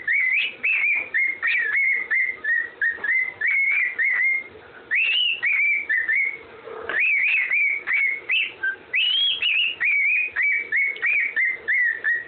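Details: Pet parrot carrying the Andy Griffin tune in long whistled phrases: quick repeated notes, about thirty a minute in loose rhythm, with occasional higher looping swoops and a short pause midway.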